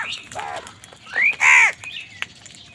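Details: Crow calling angrily while wild birds contest food with crows: a rising thin whistle, then one loud, harsh, drawn-out caw, amid brief chirps from other birds.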